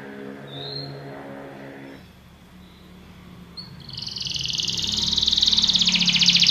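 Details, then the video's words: Belgian canary song meant to train other canaries, starting over a low, steady hum with a faint high note, then a quick, bright trill that swells steadily louder through the final seconds. "Canário belga tenta todos os canários a cantar - o treinamento mais mágico"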